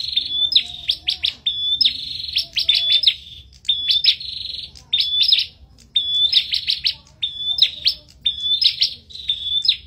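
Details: Bar-winged prinia singing hard in a duel: a steady run of phrases, each a brief high whistle leading into a cluster of loud, buzzy chip notes, delivered over and over.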